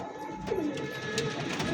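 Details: Single lively male Bullhead Archangel domestic pigeon giving a restless coo indoors at a pigeon shop in Baipail, Ashulia, Savar, Dhaka; two low, soft cooing notes around half a second apart over steady room hum.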